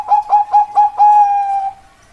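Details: Zebra dove singing: four short, clipped coos on one mid pitch, then a long, level, sustained note that fades away. The setting is quiet, with no other birds.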